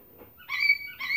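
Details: Pet sulphur-crested cockatoo screaming: two short, strident squawks with strong harmonic bands, the second rising and cut off at the end.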